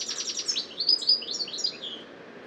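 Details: A European goldfinch, a garden bird, sings a restless, hurried twitter of high tinkling notes and short trills with its call woven in, leaping unpredictably between pitches over about two seconds.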